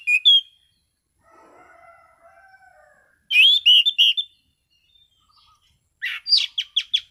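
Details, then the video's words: Orange-sided thrush in calm ngeplong song: a bright whistle, soft low warbling, a loud burst of rich slurred notes, then a fast series of sharp repeated chips. "Burung Anis Cendana Ngeplong Santai"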